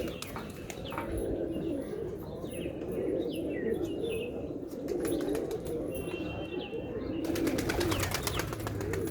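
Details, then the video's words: Continuous low cooing from a group of pigeons, with rounded coos overlapping, plus brief wing flutters and scattered thin chirps in the background. "kabutar #pigeon"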